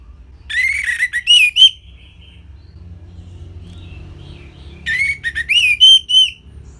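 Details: Orange-headed thrush song as a songbird training recording: two phrases of rich, rolling whistles, each a quick series of upslurred and warbled notes, separated by about three seconds of near quiet with a faint low hum.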